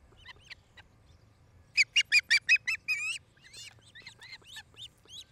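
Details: Osprey pair at their Charlo, Montana nest, nest-cam audio from 8 July 2018, late afternoon: faint chirps leading into a loud, rapid volley of harsh, shrill whistles, trailing off into softer rising cheeps.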